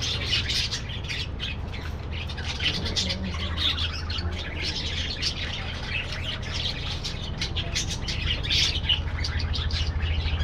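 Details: Budgerigars in a colony aviary: dense, overlapping chirps and warbling twitters from many birds, continuous throughout, over a steady low hum.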